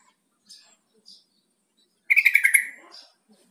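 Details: Yellow-vented bulbul giving a call meant to prompt a kept bird to answer and start calling: one short, loud, bubbling chatter of rapid pulses, slightly falling, over about a second, amid faint high ticking sounds.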